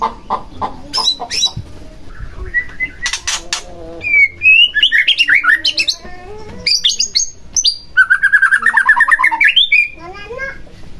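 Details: White-rumped shama song used to prompt another shama to sing, starting with short clicks, then varied whistles and a long quavering trilled phrase.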